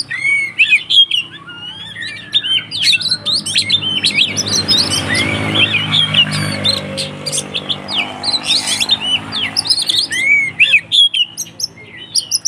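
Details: Kacer, or Oriental magpie-robin, in 'konslet tarung' fighting song meant to goad other magpie-robins; continuous loud, varied high whistles, clipped chirps and rattling trills pour out with barely a pause, the notes sweeping rapidly up and down.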